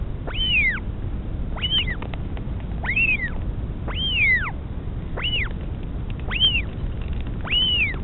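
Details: Northern royal albatross at a nest in the Pukekura/Taiaroa Head colony near Dunedin, New Zealand, in 2016, with the mother feeding her chick. It gives arched, squealing calls that rise and fall, repeated roughly every second, over a steady low rumble of wind.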